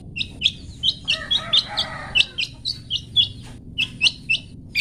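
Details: Long-tailed shrike in 'toet toet' style for training caged songbirds: sharp, high, pinging notes repeated at a quick, steady pace, broken midway by a brief raspy, buzzy chatter.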